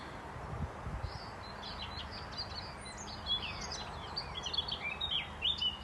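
A common whitethroat chunters in quick, scratchy bursts of high chattering notes, each phrase brief, over a low rumble of wind.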